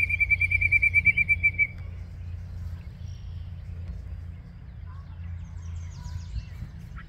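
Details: Yellow-breasted chat singing at Osborn Metropark, Huron, Ohio, 10:12 AM on May 23, 2023: a fast run of identical bright, clear notes for under two seconds, then near quiet, over a steady low rumble.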